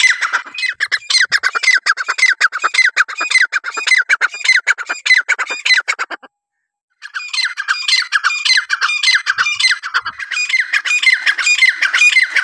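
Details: Francolin delivering long, fast runs of harsh, chattering squawks, nearly two per second, cut by a brief silence midway before the same rapid grating series resumes.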